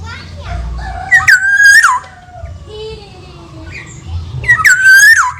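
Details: Javan black-naped oriole repeating a bright whistle that holds steady and then falls, twice, with softer lower gliding tones between and a constant low hum.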